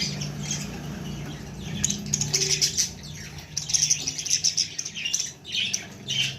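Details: High twittering chirps and sharp squeaks from a baby budgerigar over a steady low hum, the calls coming in dense clusters.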